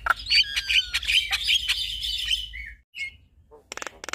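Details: Javan myna male and female in duet: a run of squeaky, repeated whistled phrases about three per second for two and a half seconds, then a short pause and a few dry clicks.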